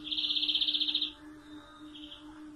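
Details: One loud, rapidly pulsed trill of about a second from a European greenfinch, followed by a faint echoing phrase over a low steady hum.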